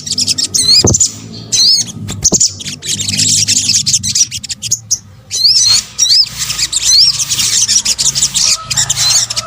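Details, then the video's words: Combined sunbird (sogok ontong) calls from Indonesia, used as a lure: thin, high, sweeping whistles that curl up and down, set within busy sharp chirping, with brief pauses and occasional low thumps. "PANCINGAN SOGON BUNYI AMPUH | kombinasi suara sogok ontong"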